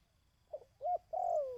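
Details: Dove call used to train decoy birds: three low cooing notes, a short soft coo, a rounded hooted note, then a long coo that slides gently downward, over a faint low hum.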